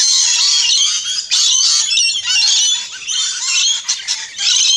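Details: Flock of rainbow lorikeets squawking at an Australian backyard feeder, a steady wall of shrill, grating screeches and twittering chatter with small dips in loudness.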